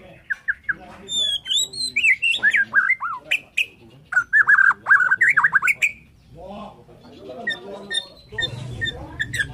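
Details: A Borneo white-rumped shama's morning song, rich and varied, with quick whistles, high slurs and a dense burst of warbled, jumping notes, then quieter scattered calls.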